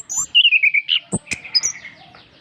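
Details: Orange-headed thrush song for training reluctant birds to sing: rapid sequence of clear whistled notes descending and rising, interspersed with high squeaky chips and a couple of sharp clicks.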